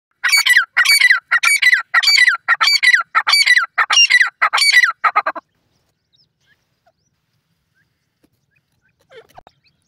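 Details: Red golden pheasant giving a rapid series of about nine loud, harsh, squawking notes over five seconds, each note rough and broad, followed by silence with a faint rustle near the end.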